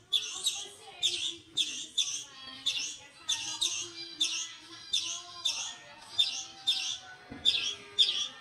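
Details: A European greenfinch, a male, begs a canary to feed him: harsh, high chirps in pairs, repeated roughly every half second, with faint low household sounds underneath.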